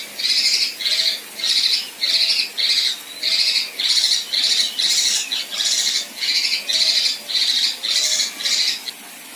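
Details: Female kinoi repeating rough, buzzy 'tembakan kasar' bursts, used to tutor contest birds: about fifteen short, gritty, high notes spaced roughly every half second over nine seconds, with faint background hiss.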